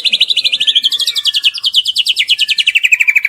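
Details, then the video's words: Young spotted-plumage white-rumped shama in full, frequent song, meant to prompt silent birds to answer: a fast, bright chattering trill of about three notes per second, starting high and slowly sliding lower over three seconds. "Murai batu trotol Gacor burung diam langsung nyaut"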